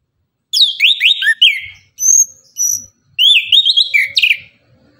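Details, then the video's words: Orange-headed thrush in full morning song, used to get other birds to answer: fast warbled phrases with sweeping whistles, a few thin high notes, then another rapid tumbling run; faint low knocks beneath. "Anis kembang tembakan gacor pagi hari, bunyi langsung nyaut gacor"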